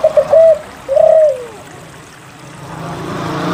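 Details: Spotted dove song meant to coax silent doves into singing. A quick stutter of short coo notes leads into a drawn-out coo that bends downward and fades. A soft, steady background hiss follows.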